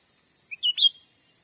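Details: Whistled lure call of cucak ranting, played to attract wild birds for trapping in Sumatra's forest: a short soft note, then two fuller notes in quick succession, the final one brightest; low background hiss.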